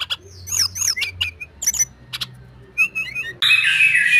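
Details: White-rumped shama of the Medan type, singing vigorously: clear whistled notes and sharp chirps with swooping slurred phrases, pauses between bursts, then a loud harsh broadband noise over the final second.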